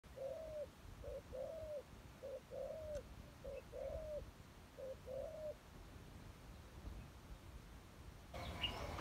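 A dove gives soft, low coos in pairs, a short note then a longer falling one, about four times in quick succession. A burst of rustling ends it.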